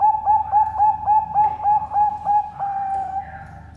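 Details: Bangkok-type zebra dove kept at a bird farm in Sidoarjo, East Java, Indonesia, singing the full three-part song: a sustained soft coo chopped into quick even beats, roughly every quarter second, over a low background hum.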